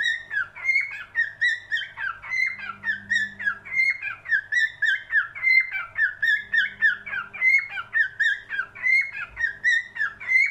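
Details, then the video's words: Extended cockatiel singing: a long chain of fluty whistles rising and falling, about three notes per second, with a brief low droning sound in the background twice. "Best Cockatiel singing"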